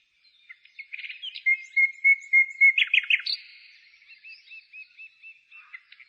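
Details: Bird singing in spring outside the city, 15 May 2017: a string of steady whistled notes, then loud stuttered chips, followed by a soft series of repeated looping whistles.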